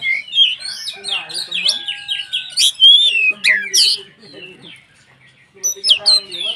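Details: Oriental magpie-robin (kacer) in strong song, used as a lure to provoke other magpie-robins into excited singing: rapid jumbled high whistles, chirps and sharp rising notes, loud bursts, a quiet gap around four to five seconds, then renewed phrases.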